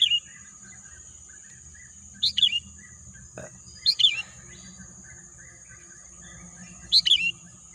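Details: Birdsong in green countryside: brief high two-part chirps, sharp then slurred downward, recurring about every two to three seconds, with a continuous high whine, faint softer chirps and a single low knock in the background.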